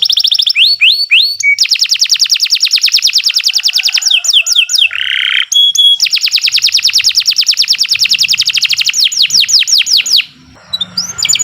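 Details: Canary song, Kenari Nusantara type, recorded as masteran for teaching other birds: long rapid trills of repeated high sweeps, a brief harsh buzzy burst midway, then more fast trills that slow into separated downward notes.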